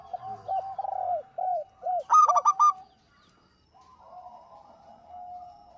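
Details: Local zebra dove in active song, played as a lure: soft repeated arched coos lead into one loud clipped staccato burst, then a quieter wavering hum fades out.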